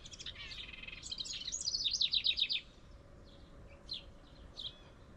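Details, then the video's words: In a tree near its birdhouse, a house wren gives one rapid, bubbling song of buzzy trills and tumbling high twittered notes lasting about three seconds, then a few faint, separate high chips follow in a quiet pause. "A House Wren makes some noise in a tree"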